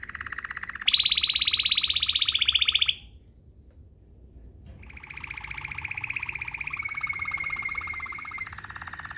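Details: Domestic canary in Waterslager style giving 'ngerol' rolling song for tutoring other canaries: a steady buzzing roll jumps to a louder, higher roll for two seconds, pauses, then resumes as a softer, lower continuous roll.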